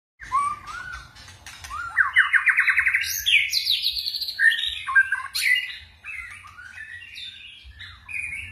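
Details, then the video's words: White-rumped shama singing in its forest-style voice with varied switching phrases: rapid rising whistled trills, buzzy ladder-like notes and sharp high chips following one another quickly, with a soft low background hum. "chòe lửa hót giọng rừng ,đảo giọng cực phê"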